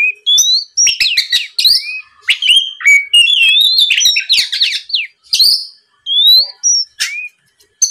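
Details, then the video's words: Oriental magpie-robin (kacer) singing in full 'gacor ngeplong' style, a lure recording meant to provoke rival birds into answering; loud varied whistles, rising and falling slurred notes mixed with sharp clicks and short bursts separated by brief pauses. "SUARA PIKAT BURUNG KACER GACOR NGEPLONG"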